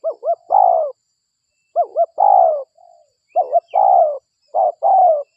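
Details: Local spotted dove used as a lure to attract other spotted doves: mellow cooing phrases, each two quick upturned notes then a long descending coo, repeated four times with short pauses and a faint soft note between.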